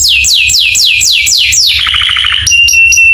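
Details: Canary master song for training other canaries to respond: about six loud downward-swooping whistles, a brief rattling trill, then short high notes repeated at an even pace.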